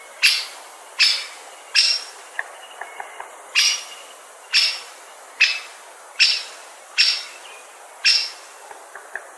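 A great spotted woodpecker gives sharp, loud 'kik' notes, about one every three-quarters of a second, with faint high chirps from another small bird in between.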